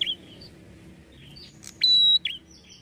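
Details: Lure call of prenjak kepala merah to draw prinias into replying: light descending chirps lead into one long even whistled note, then a quick trailing chirp.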